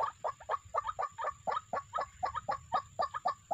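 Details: White-breasted waterhen sound used to lure birds into a trap: hoarse, clucking croaks in a fast, steady series, roughly four each second, with notes paired and overlapping in a chorus-like stream.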